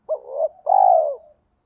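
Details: Spotted dove calling in the thổ pha đồng style to lure other doves: one phrase, a short bright note running into a soft coo, then a long, strong, downward-sliding coo ending cleanly.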